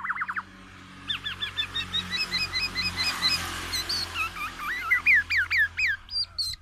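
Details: Loud, varied song from a tame black-naped oriole: rapid repeated hooked notes, a short pause, then mixed rising and falling nasal phrases in quick succession, over a steady low hum.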